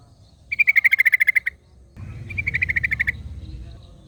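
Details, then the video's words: ['Wild Yellow-vented Bulbul calling in the wild, answered by another bulbul: a fast run of about ten bright, even notes, a pause, then a second rattling burst over a low rumbling background.'] "KICAU Burung Trucukan Ngalas Trucukan Lain Langsung Nyaut"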